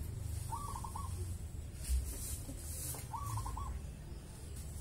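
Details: Wild local zebra dove (perkutut) cooing toward evening: brief trilled coo phrases, two of them about two and a half seconds apart, over a constant deep hum.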